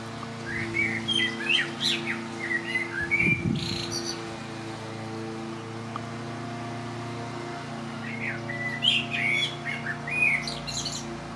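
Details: Common blackbird on a rooftop in Lower Hutt, New Zealand, late spring with a light breeze: short mellow whistled phrases ending in high twittery flourishes, sung in bursts with pauses, over the steady hum of a neighbour's lawnmower.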